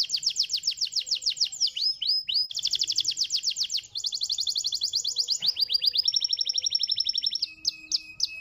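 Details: Canary song for stimulating other canaries to sing: high, very fast trills of repeated notes flow one into the next, broken by short swooping slurs, ending in slower separate chirps.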